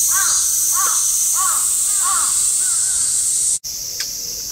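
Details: Ruddy-breasted crake, one of two call types, uttering four clear, arched 'kyo' notes with stacked harmonics, about 0.6 seconds apart. A steady high hiss continues behind, then a brief break and a faint click.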